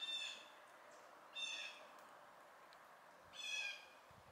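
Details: Fledgling Blue Jays picking around give three harsh, raspy squawks, each about a third of a second long and roughly two seconds apart, over a quiet background.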